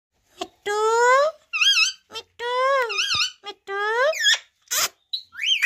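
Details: Talking parrot, a pet bird known locally as batooni tota, producing a run of loud, clear speech-like syllables with rising and wavering tones, some squeaky and whistle-like, separated by short pauses in a quiet indoor setting.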